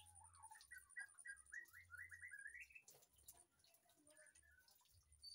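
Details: White-rumped shama kept in an aviary behind a house, a short rising series of warbled whistles climbing in pitch, followed by quieter scattered notes and clicks against low hum.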